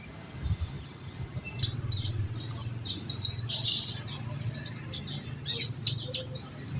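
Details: Olive-backed sunbird tembakan song, played to rouse untrained sunbirds: quiet start, then a lively run of high chips, slurs and twitters continuing to the end over a low steady hum.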